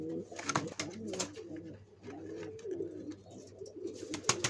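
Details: Indoors, pigeons building a nest to lay eggs coo in low, gently wavering phrases, broken by sharp clicks and knocks from movement.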